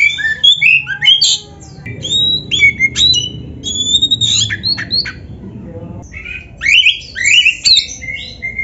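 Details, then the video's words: Training masteran of kacer (Oriental magpie-robin) for caged birds, 'gacor full isian' style: crisp high whistles, clicks and short slurred notes in bursts, a low murmur beneath, pausing before a final rush of rising phrases. "MASTERAN KACER GACOR FULL ISIAN !! - Suara Burung Kacer yang cocok untuk LATIHAN"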